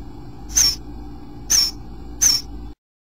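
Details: Day 8 at a bluebird nest: three short, high, thin notes with a small downward bend, roughly one each second over a faint hum, then silence.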